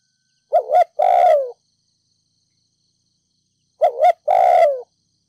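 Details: Ninh Thuận spotted dove decoy calling 'thúc gù' in 'đồng pha thổ' style to excite decoy birds. Two phrases a little over three seconds apart: a brief two-part wavering note followed by a sustained low coo falling at the end. No noise.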